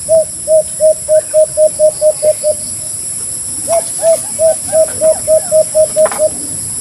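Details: White-eared brown dove calling: two bursts of about ten short, even, hollow cooing notes, each run delivered rapidly at a steady pace and separated by a brief pause, over a constant high-pitched hiss in the background.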